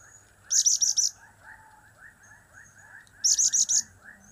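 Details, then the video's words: Blue-crowned hanging parrot with cap-cap, kiak-kiak and crap-crap style calls, tight trills of four buzzy, very high notes, delivered twice about three seconds apart against a quiet background. "Trio Cap²/Kiak²/Crap² Semakin Gacor"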